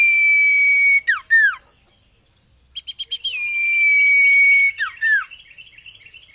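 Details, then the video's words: Common iora singing for cage-bird training, a sustained flat whistle broken by quick falling slurs, then a burst of short pulsed notes that runs into another long drawn-out whistle and more downward slurs. "MASTERAN - Burung Cipeuw/Cipo Terbaik"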